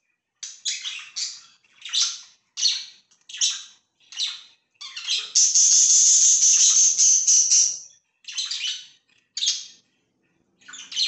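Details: Pet budgerigars uttering a regular series of short, sharp chirps about twice a second, broken by a longer, loud, buzzy squawk in the middle.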